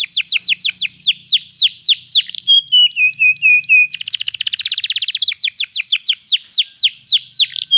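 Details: Canary song for teaching a canary to sing: rapid falling whistles, then a stretch of flat, steady piping notes, a buzzy, very fast rattling trill, and a return to repeated downslurred notes and a held tone.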